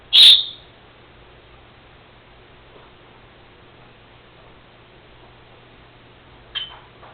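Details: Pet female Senegal parrot indoors, which has begun mimicking its owner's sneezing, gives one sharp, explosive burst near the start, then near-silence in a small room with a faint second burst near the end.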